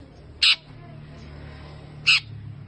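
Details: Rare creamino mutant long-tailed shrike, a kept bird, giving two short harsh rasping notes about one and a half seconds apart, with quiet low hum beneath.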